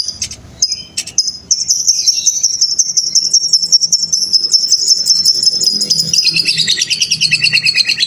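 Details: Lovebird giving a long ngekek trill, a master recording for training young lovebirds: after a few short chirps, one unbroken high, buzzy trill holds steady for over six seconds, then breaks into faster pulsed notes near the end.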